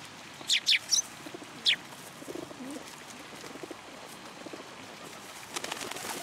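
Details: At a Tenmangu shrine feeding platform, 14 February 2023, sparrows give a quick trio of sharp high chirps and one more a second later, followed by soft low cooing and quiet rustling.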